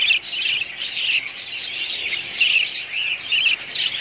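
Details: Loud, close chirping and warbling from budgerigars in a breeding colony, bursts of clear high notes mixed with the flock's steady chatter.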